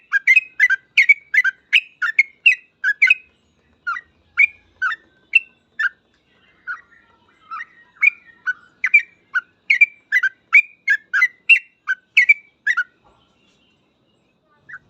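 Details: Sooty-headed bulbul delivering gacor full ropel song, a master track to help bulbuls learn ropel. A long, dense stream of rapid bubbly chirps eases into sparser notes midway, then speeds up again before falling silent.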